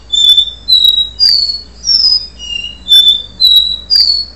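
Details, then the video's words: Capuchino seedeater's do-re-mi style song, recorded before moult: a steady run of about eight clean, flat whistles, one every half second, with pitch stepping up across a few notes, dropping, then climbing again. "caboclinho do re mi - cicatriz antes da muda"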